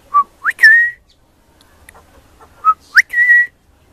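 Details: Juvenile pied butcherbird singing at Christmas: two matching phrases, each a short note, a fast upslur and a held whistle, separated by about two seconds of quiet.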